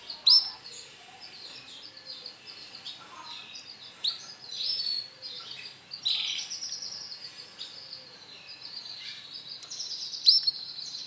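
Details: A male canary of the Bon colour variety, yellow and black, sings a long, continuous high song of rolling trills and buzzy phrases broken by sharp chips, with faint background noise.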